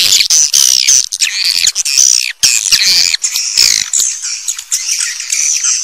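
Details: High, buzzy swiftlet twittering with thin falling whistles, delivered in a near-continuous chattering flow with a few brief pauses.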